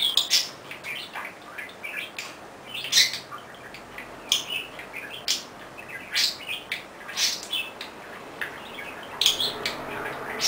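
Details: Budgerigar kept as a pet, talking and chattering as it pushes its own swing back and forth, giving frequent raspy chirps and warbling bursts scattered through the recording, some louder clusters, over a quiet indoor background.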